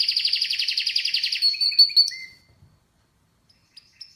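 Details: Canary delivering a rapid, even trill of about twenty pulsed notes, then a few sharp twitters before falling silent.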